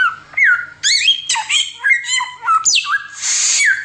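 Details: Rapid tembakan song of an Oriental magpie-robin singing continuously for tutoring: rising and falling whistles, buzzy stacked notes and a closing harsh hiss that ends in a whistle.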